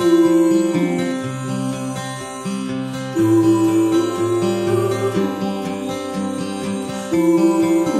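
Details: Loud acoustic guitar music with strummed and plucked chords throughout, and no animal voice.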